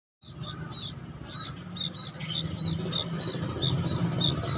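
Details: Young sooty-headed bulbul that has lost its mother, giving rapid high, thin chirps repeated about three times a second, uneven in spacing, over a steady low hum.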